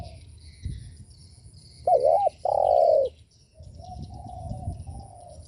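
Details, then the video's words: Cooing of a spotted dove, used to provoke rival doves: one loud phrase of a quavering double note then a drawn-out level coo, followed by softer, more distant cooing from other doves. "Chim cu gáy gù mở lên kích bổi cực hay"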